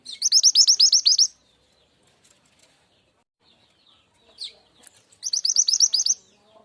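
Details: Mountain Javan sunbird lure call for attracting wild birds: two fast trills of about ten high, sharply hooked notes, separated by roughly four seconds of near silence with one faint chirp.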